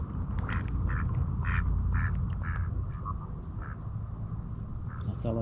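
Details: Ducks on the sunny shore of Osoyoos Lake, British Columbia, Canada, give a run of short, nasal quacks about every half second over a steady low wind rumble, with people talking nearby; loons are seen landing on the lake just afterwards.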